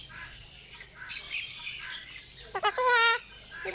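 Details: Pet cockatoo talking in a funny way, calling out its own name; soft raspy squawks early on, then a loud nasal, strongly harmonic call with rapid pulses near the end, a short rising note closing the clip.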